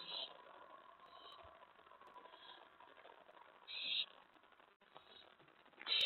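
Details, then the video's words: Owl at the nest at night, 11:28 PM on May 15, 2017, as prey is delivered and brought in to eat; a few harsh, hissing screeches, spaced irregularly, over a low steady background hum. "May 15 2017 11:28PM Lookout Delivery/Brought In To Eat!"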